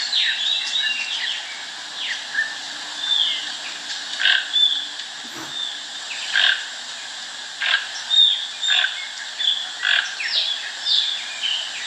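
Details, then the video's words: Toucan being fed at a farm in Brazil gives hoarse, croaking notes about once a second in short runs, over a steady chatter of high chirps from other birds. "Toucan sound"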